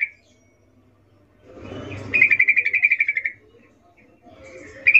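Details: Breeding-condition female sooty-headed bulbul calling a male: after a muffled rustle, one rapid burst of about a dozen crisp, evenly repeated chattering notes lasts just over a second, then a brief start of another.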